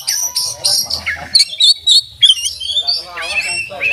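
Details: Oriental magpie-robin singing with its bill wide open, a full varied song packed with mimicked phrases: high rapid chattering notes, then sharp clear whistles and buzzy trills in shifting patterns, with faint human speech in the background.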